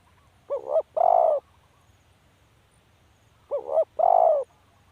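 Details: Spotted dove giving two hollow phrases roughly three seconds apart. Each opens with a short doubled note and ends in a drawn-out downslurred coo, with a faint low rumble behind.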